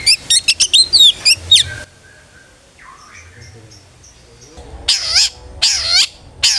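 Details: A long-tailed shrike sings in the ngeplong style as a lure for other shrikes: quick twisting whistled phrases, a near-silent gap with faint notes, then loud harsh rasping bursts.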